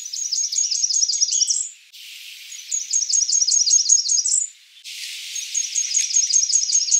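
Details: A Blackburnian warbler repeats its thin, very high phrase three times: a rapid run of sibilant notes that rises sharply at the close, roughly every three seconds.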